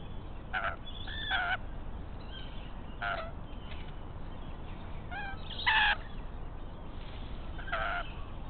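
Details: Rainbow lorikeet pair raiding the nest of a pied currawong before any eggs are laid: scattered grating screeches, some doubled, with a louder harsh burst near the middle, against constant low-pitched background rumble.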